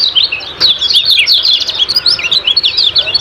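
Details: Short burst of ciak-ciak song from a lemon-bellied white-eye, known locally as kecial kuning, meant to provoke other birds to sing: quick overlapping high twittering, bright and busy throughout.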